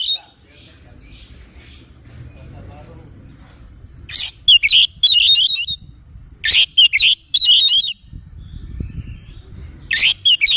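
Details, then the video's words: Oriental magpie-robin singing in the morning: a few loud bursts of sharp, chattering and whistled notes separated by gaps, over a low background rumble. "Kicauan Kacer Dipagi Hari"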